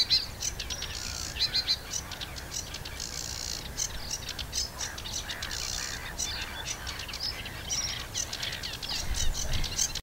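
A sedge warbler pours out a fast, scratchy, chattering song of harsh churrs and brief whistles, with a low rumble of wind beneath.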